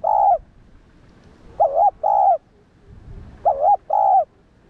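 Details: Spotted dove coo for provoking and training kept doves: the tail of one coo, then two phrases of paired hollow coos, about two seconds apart, with little background noise.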